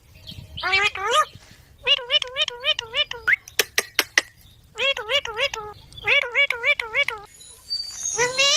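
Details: Baby green parrot chirping: bursts of nasal, wavering, harmonic-rich calls repeated quickly in short runs, broken by a few sharp clicks and brief pauses.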